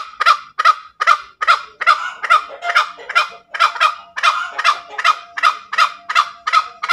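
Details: Steady ngekek cackling from a tame junglefowl, a long train of harsh, evenly spaced clucks, roughly two and a half per second, loud and clear throughout.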